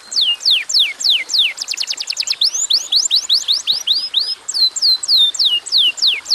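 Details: Atlantic canary song used as a lure: series of high falling slurred notes, a rapid buzzy trill burst, then rising sweeps and further downward whistled phrases repeated about three per second.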